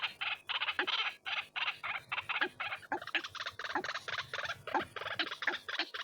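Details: White-breasted waterhen calling as a lure sound, harsh raspy notes in quick repeated bursts that run together into a continuous, chattering chorus.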